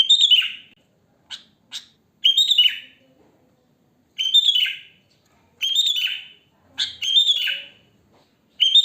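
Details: Sooty-headed bulbul singing naturally in the wild, used for luring other bulbuls: loud harsh chattering bursts separated by quiet gaps, with a couple of short isolated chips between phrases.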